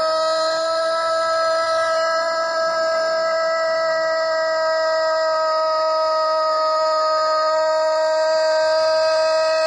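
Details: An Etawa chicken rooster holds one very prolonged crow on a steady, rich, buzzy tone that barely changes for nearly ten seconds.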